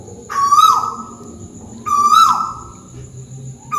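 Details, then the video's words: Tuwu owl from Malaysia heard calling up above, giving two strong whistled hoots that hold level and then slide down, spaced under two seconds apart, with the start of a third at the end; faint low background hum. "Burung tuwu malaisia lagi bunyi diatas"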